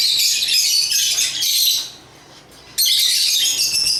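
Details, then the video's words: Agapornis lovebirds from Africa sing in a steady, piercing high twitter for nearly two seconds, fall quiet for about a second, then burst back into the same dense chirping. "African Love birds Agapornis chirps singing sounds"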